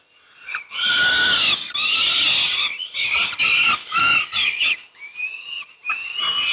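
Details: Young peregrine falcons at Moszna near Pruszków, Poland, being fed breakfast, give harsh, wailing begging screams in long drawn-out bursts with brief gaps, some notes rising at the end.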